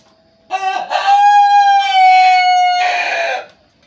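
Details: Loud, melodious chicken crow lasting about three seconds: a choppy two-part opening, a long clear sustained tone gently falling in pitch, and a rougher, broader final burst before it stops, with a quiet background.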